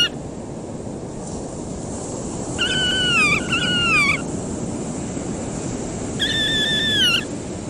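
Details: Horned (Slavonian) grebe (Podiceps auritus cornutus) on water, diving, swimming and preening, giving nasal, wavering calls that slur downward: two linked calls, then a third after a pause, over a steady wash of water and wind.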